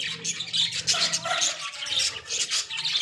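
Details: Pet Australian budgies in a small cage producing a busy stream of buzzy squawks and bright chirps in short pulses, with a faint low hum behind.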